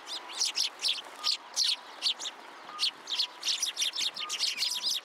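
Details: Several sparrows at a Tenman-gu shrine pillar where they come to be fed, 27 January 2023; steady, fast chirping, bright clipped notes repeating several times a second with faint tones behind.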